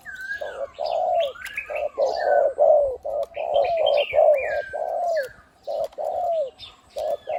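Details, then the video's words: Captive spotted dove kept as a decoy bird for ground, branch and trap-enclosure use, big-voiced 'khu-ang' cooer; dense, hoarse low coos in quick succession, some blurring together, with whistled and chirped notes from other birds throughout. "นกต่อVIP 1กุกเสียงใหญ่คูอ่างเกือบตลอด ต่อดิน ต่อกิ่ง ต่อเพนียด"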